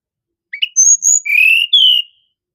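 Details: Sunda robin song opening with two quick rising chirps, then two high clear whistles and two longer, slightly rising whistles at a lower pitch.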